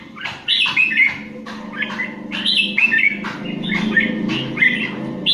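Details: Competition-singing Indian red-whiskered bulbul delivers a steady stream of short, cheerful whistled phrases, each about half a second long, over a continuous low droning background.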